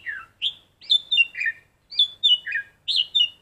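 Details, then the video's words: A black-collared starling practising a red-whiskered bulbul's song sings bright, clear whistled phrases that swoop and dip, in quick bursts of two or three notes. "chim cà cưỡng hót luyện giọng chào mào cực hay"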